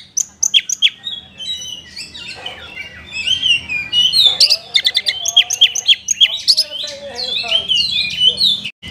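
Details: Oriental magpie-robin in rich, varied song used as a lure to rouse lazy captive birds: loud whistled notes, sharp chips and rapid buzzy trills, tumbling quickly with few pauses.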